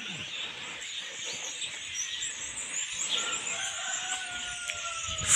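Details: A flock of common starlings (Sturnus vulgaris) singing in a village garden tree at Uzunbey village, Polatlı, Turkey; dense, unbroken chatter of high wheezes, clicks and squeaks, with a few long sliding whistles near the end.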